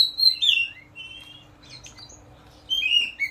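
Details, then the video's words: Ngeplong bird, used as a lure to train magpie-robins to sing, gives bright high whistled phrases slurring downward in two quick bursts with a short pause, over a faint steady hum. "suara ngeplong"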